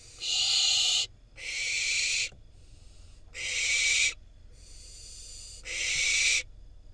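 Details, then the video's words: Wild barn owl fledgling in Israel, filmed on a camera as parents deliver a rodent that it then eats; harsh, breathy hissing screeches near one second long, four loud ones alternating with fainter hisses, over quiet background. "Barn owl fledgling get delivered rodent from parents and then eats it."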